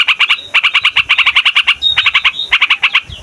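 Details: Yellow-vented bulbul in noisy, long-rolling song meant to lure wild birds and to tutor young birds: rapid bubbly note clusters in near-continuous runs, with a thin higher whistle slipping in between bursts.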